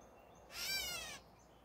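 A catbird gives one harsh, nasal, cat-like mew lasting under a second, over a faint background hiss.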